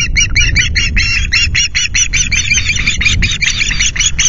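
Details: Indignant male ospreys at a Loch Garten nest, Scotland, screeching on 9 August at 9 a.m. to drive an intruding osprey away; rapid, harsh, repeated screeches, about three per second, over strong low wind rumble.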